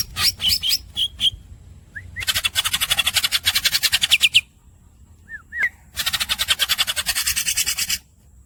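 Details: Greater green leafbird with squeaks and long rolls: a few sharp squeaky notes, then two long, rapid, buzzy rolling trills of about two seconds each, separated by a pair of soft rising whistles.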